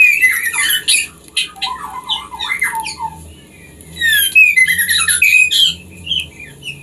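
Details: Song of white-rumped shama, played so breeding birds will mate: dense bursts of harsh chatter and squeaky notes, a run of falling whistles, then fast rich warbling with sharp high accents.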